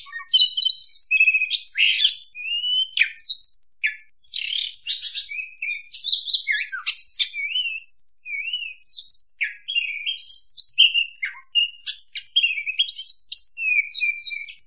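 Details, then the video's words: Trapping lure song of the oriental magpie-robin, a long unbroken stream of sweet whistles, quick up-and-down slurs, chattering and scratchy notes mixed in varied sequence, with no background noise. "suara pikat burung Kacer paling ampuh"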